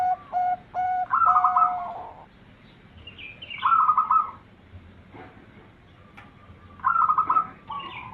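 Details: Zebra dove song used as a lure to attract birds: phrases of clear, hollow coos with rolling, quavering notes, each burst lasting under a second and repeated in groups several times, over a low background hum.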